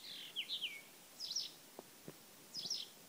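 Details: Blyth's reed warbler singing at Lindö udde in 2011: short, thin whistled phrases with quick up-and-down notes, spaced by pauses, fairly distant over steady background hiss with a couple of faint clicks.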